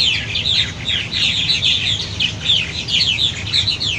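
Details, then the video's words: Purple martins at fledging time, adults arriving to call the young out of the gourds, give a busy, overlapping stream of gurgling, chirping calls, high and rapid without pause, over a low background rumble. "Purple Martins Behavior at Fledging Time"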